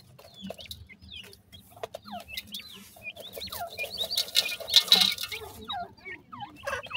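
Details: Black francolin chicks, two of them, peeping continuously: sharp descending high chips repeated in fast irregular runs, growing louder toward the middle, with scratchy rustling underneath.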